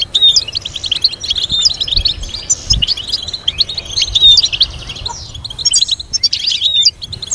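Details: European goldfinch singing complex stimulating melodies for training: rapid high twitter mixed with clear upslurred whistles and buzzy rattles, phrases rising and falling every second or so, with faint low background noise.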